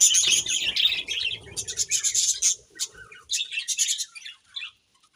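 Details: Budgerigars chirping in a dense, lively chorus of rapid, high-pitched twitters and warbles, bursts overlapping almost continuously, then thinning out into scattered chirps before falling quiet near the end.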